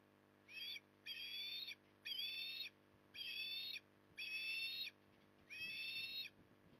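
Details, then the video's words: Osprey at Port Lincoln, Australia, feeding on an October 2020 evening: six high, strained whistles in a steady series, nearly one a second, each slightly rising then falling. "Osprey ~ Evening Stuffing"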